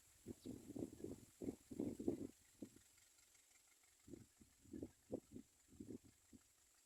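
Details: Nestling common mynas waiting to be fed give rapid, scratchy, pulsed begging calls in uneven clusters, a busy group near three seconds and another after a short pause, over soft outdoor noise.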